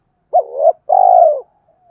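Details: Spotted dove coo, 'gọi hai hậu' style used to stimulate decoys; a single phrase: a short hollow note sliding into a held tone, then a longer steady mellow coo.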